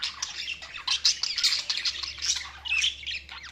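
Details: Budgies chattering loudly together, a continuous stream of harsh squawky chirps and warbles in quick succession over a low background hum.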